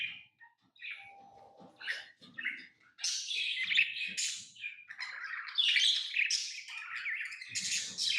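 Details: Pet lovebirds start with scattered short chirps, then break into loud, continuous shrill twittering and squeaks, with some faint low knocks.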